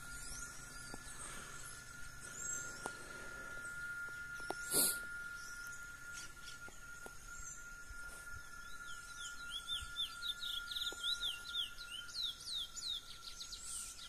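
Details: A wild chestnut-bellied seed finch singing its wild song in nature gives a rapid run of clear, sweeping whistled notes in the second half, over a steady insect-like drone and a brief rustle.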